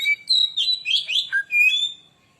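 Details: Oriental magpie-robin lure song for stirring other birds to sing: a single two-second phrase of looping whistles dipping low, then a bright drawn-out final note.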